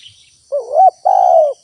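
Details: A single spotted dove phrase from a lure recording meant to attract wild doves: a wavering, rising note swells into a short hooked coo, then a longer even coo sags slightly in pitch. A steady high insect hum persists throughout.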